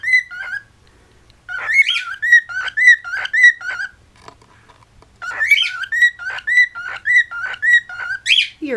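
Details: Domestic cockatiel whistling indoors in West Newton, Pennsylvania: two long phrases of rapid, evenly repeated two-tone chirping whistles, roughly two notes each second, with a short gap between.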